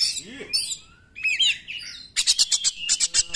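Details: Oriental magpie-robin 'nembak' song meant to stir quiet magpie-robins to sing. Scratchy notes and a few whistles, a brief lull, then evenly spaced loud rattling bursts, six to eight in quick succession.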